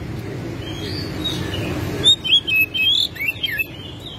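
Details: Oriental magpie-robin singing with tail spread, unloading its repertoire as a lure to make other magpie-robins sing. After two seconds of low noise, a burst of clear, rising and falling whistled notes arrives in quick succession.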